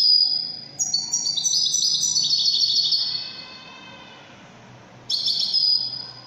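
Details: European goldfinch of the Widani type singing: a tumbling run of high, liquid twittering notes that slide downward, fading into a short pause, then a fresh bright burst of twitter near the end.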